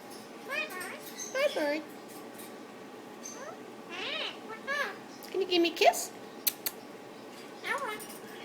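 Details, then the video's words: Pet Indian ringneck parakeet talking to its owner and to another bird in the neighbouring cage; short arching, harmonic mimicked syllables in bursts, some meow-like, with the owner speaking softly in between. "My Indian Ringneck (Bobby) talking!"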